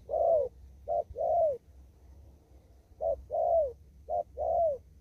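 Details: Wild spotted dove in Kon Tum, Vietnam, giving two đồng thúc gù phrases separated by a pause, each a clipped note then a rich descending coo, quiet background.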